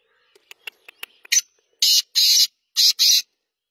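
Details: Black francolin (kala teetar) calling: a few faint clicks lead into a short harsh note, then two loud grating buzzy bursts, a brief pause, and two more matching bursts, with a clean quiet background.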